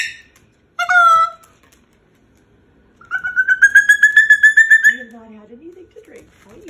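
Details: Pet Moluccan cockatoo at bedtime, protesting about going into its cage. A single loud squawk is followed by silence, then a fast run of rapid, rising whistled notes. The clip ends with softer, low wavering sounds.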